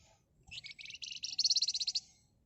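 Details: Flamboyan bird singing agitatedly in rapid 'ngebren' and shrill 'nyerecet' style, used to provoke other birds: scratchy high notes quickening into a dense, loud stuttering trill of about a dozen beats, with faint low background noise.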